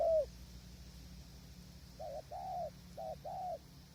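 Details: Spotted dove used in hide-based decoy trapping on a windy day, wild birds far off: one coo at the start, then after a pause soft paired coos, a short note followed by a longer drawn one, against a low steady hum.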